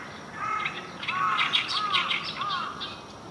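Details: Oriental reed warbler singing on the morning of 9 June 2023. Deep, croaking, grating notes alternate with higher scratchy, buzzy bursts in a rapid, uneven phrase.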